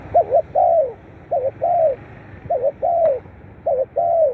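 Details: Spotted dove calls for stimulating captive birds: four steady phrases of deep, gentle cooing, each a short double hoot then a long descending note, roughly one phrase per second, with a brief click midway.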